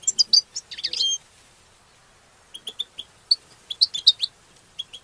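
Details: Levantine goldfinch in the group twittering styles called tabtaba and tastasa, meant to stimulate other goldfinches and for mating; a rapid jumble of high, bright notes, then a pause and a scatter of short sharp chirps and tinkling twitters.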